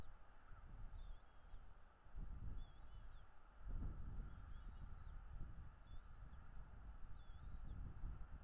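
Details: Bald eagle at a wild nest in Northeast Florida, picked up by the nest camera: five thin, high whistled notes, each bending up then down, spaced roughly one and a half seconds apart, over steady low wind rumble and a constant mid-pitched hum.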